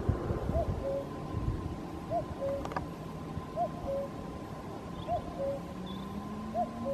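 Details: Far-away common cuckoo song, Caldones, Gijón, Asturias, Spain, 8 May 2021: four clear cu-coo pairs, a higher note dropping to a lower one, about every one and a half seconds, with a sharp click midway and a low rumbling drone beneath.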